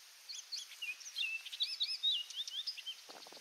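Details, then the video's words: Orchard oriole song recorded at Donnelley WMA, coastal South Carolina, a hurried run of clear whistles and slurred notes that jump up and down in pitch, lasting nearly three seconds, followed by a few soft low taps. "Orchard Oriole Singing"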